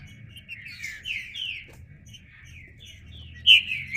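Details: Green-winged saltator singing at a distance: soft, blurred whistled notes in a loose sequence, with a sudden loud bright whistle near the end over a low background hum.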